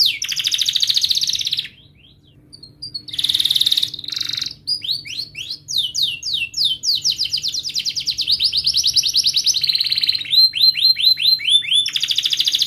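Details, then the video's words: Canary tutor song used to train young canaries and to prompt silent birds to sing: loud rolling trills and rapid repeated chirps, with sweeping whistled notes, a brief pause near two seconds, then dense rattling phrases to the end. "Kenari Gacor Cuit cuit Ngerol TAJAM, TERAPI AMPUH Kenari MACET, Pancingan Kenari Paud Belajar Bunyi"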